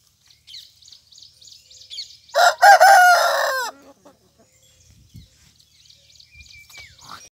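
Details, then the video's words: A rooster crows loudly once, a harsh drawn-out call lasting over a second that falls in pitch at the end, amid soft chirping of small birds before and after. "rooster crowing loudly"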